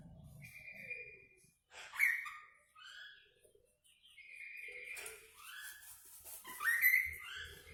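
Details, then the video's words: Lively kaso-kaso bird delivering varied whistled phrases, long level notes mixed with quick rising and falling slurs and short rough bursts, with brief pauses between, plus some hiss. "Burung kaso kaso gacor dor"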